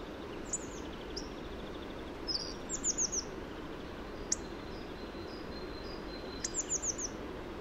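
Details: Hawfinch (Coccothraustes coccothraustes) singing: thin, very high, sharp downslurred notes in quick bursts of three or four, with gaps between, over a steady low background hiss.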